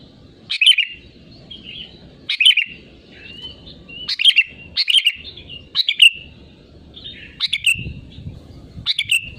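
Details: Sooty-headed bulbul, presented as a lure to prompt other birds to sing: short bubbly whistled phrases around mid-high pitch, repeated roughly every one to two seconds, with a faint low hum beneath.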